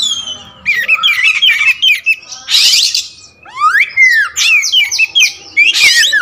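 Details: Varied song of an all-black Oriental magpie-robin, the wulung raja type: chattering whistled phrases, loud scratchy bursts near the start and end, and a long downslurred then rising whistle in the middle.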